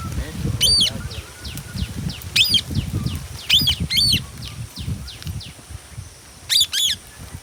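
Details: Indian ringneck parakeet kept as a pet: shrill, squeaky repeated calls, some given in pairs, over steady low rumbling background noise.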